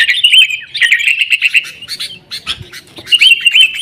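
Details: Sooty-headed bulbul lure sound for getting caged birds to sing: a run of bright, rapid chirps, a scattered middle stretch of softer clicks, then more quick notes.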